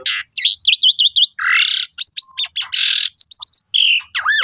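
Asian pied starling pours out a fast, varied medley of bright whistled notes, quick chirps and harsh rasping bursts, with no other sounds.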